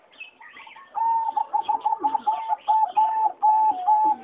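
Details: Competition-bred singing zebra dove in a flight aviary, 26 April 2014, delivering a fast rhythmic series of clear cooing notes, about two per second and steady in pitch, over soft chirps from other birds.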